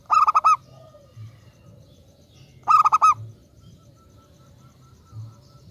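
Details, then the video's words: Local zebra dove kept as a lure bird, delivering two tight phrases of five short, even coos about two and a half seconds apart against a quiet low hum. "Perkutut lokal gacor RAJA PIKAT ahlinya bikin semua burung perkutut GACOR NYAUT"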